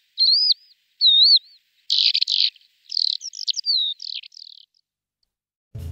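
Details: A male lesser short-toed lark calling and singing in flight: thin, looping whistles, then a rapid jumble of buzzy, twittering notes that includes mimicry of other birds; otherwise quiet.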